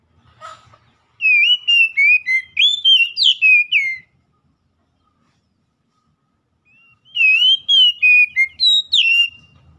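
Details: Oriental magpie-robin singing, meant to speed the recovery of a stressed bird that has gone quiet: two bursts of about eight rapid, ringing whistles with sharp upward flicks, separated by a few seconds of silence.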